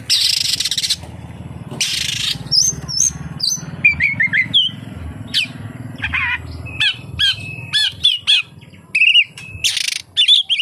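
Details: Oriental magpie-robin, its song full of kapas tembak imitations: hissing bursts, then scattered chips, short whistles and clicky notes, some in rapid runs, with steady low background hum.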